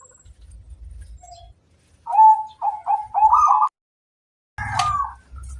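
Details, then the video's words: Local zebra dove song used to lure other doves: after soft low rumbling, three bright rising trilled coos in quick succession, a pause, then a harsher burst over noise. "Suara burung perkutut lokal paling ampuh untuk pancingan"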